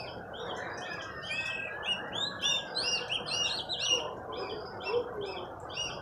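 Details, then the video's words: A freshly purchased oriental magpie-robin in training, singing nonstop. Rich varied phrases mix clear whistles, quick rising slurs and short chips, over a background of steady low noise. "Latih burung kacer, Alhamdulilah bisa gacor"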